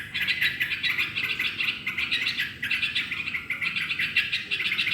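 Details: Lively yellow-vented bulbul song meant to prompt other birds into singing: rapid bubbling chirps in two bursts split by a short gap near two and a half seconds.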